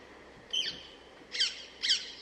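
Rose-ringed parakeet giving three harsh, shrill screeches, each a short downward-sweeping squawk, spaced under a second apart against a quiet background.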